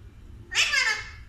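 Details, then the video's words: Pet Alexandrine parakeet kept indoors giving a single loud, harsh, rasping squawk lasting under a second, against a quiet room background. "Whistling and Chit-chat with My Alexandrine Parrot"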